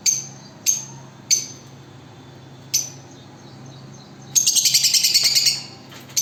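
Lovebird giving four sharp, shrill chirps spaced about a second apart, then a fast burst of high rattling chatter lasting just over a second.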